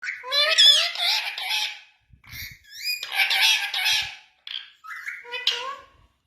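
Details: Indian ringneck parakeet talking in Urdu/Hindi: bursts of raspy, voice-like mimicked words with harsh squawky edges, delivered in three phrases separated by short pauses, ending with brief chattering notes.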